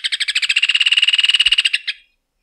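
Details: One fast, chattering trill from a Rufous hornero (Maria barreira): a steady stream of loud, clipped notes held for about two seconds, then a final separate note.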